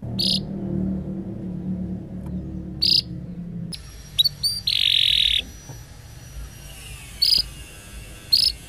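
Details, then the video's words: A canary, in a training song for young canaries, gives sharp, high chirps spaced a few seconds apart, with one brief rolling, buzzy trill in the middle, over a low rumble. "Kenari Gacor Panjang"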